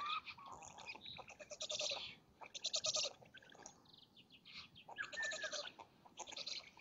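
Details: Feeding time at a black stork nest in Lodz, Poland, 05:46 on 30 May 2017, male delivering food to chicks and female: bleating, wheezy calls in pulsed bursts separated by short gaps, plus faint thin whistles.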